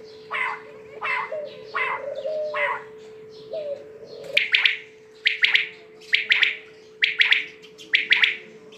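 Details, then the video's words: Softer spaced notes give way to loud, regular quail triplets about once a second, each phrase a quick run of three clipped notes, with a faint continuous hum throughout. "Batair k Awaz"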